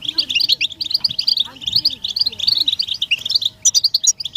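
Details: European goldfinch group chatter, mating calls said to excite males into song; rapid bright chirps and twittered phrases pour out continuously, with sharp higher notes near the end and a soft hum below.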